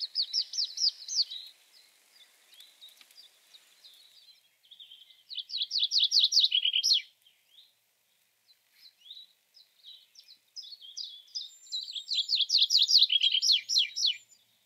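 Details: Tree pipit (Anthus trivialis) song: bright, trilled phrases of rapid repeated notes that speed up and drop in pitch, given in bursts of about two seconds with short pauses.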